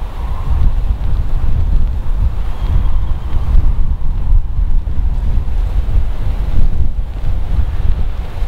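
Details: Strong wind buffeting the microphone over rumbling surf, with no animal voices.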